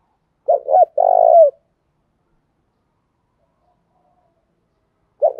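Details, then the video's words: Spotted dove voice-training coo, 'cu thúc gù' style: a quick stuttered pair of notes runs into a long, purring coo that falls at the end. Nearly four seconds of silence follow before the next phrase starts. "Tiếng cu thúc gù hay, Luyên giọng cu gáy mỗi ngày"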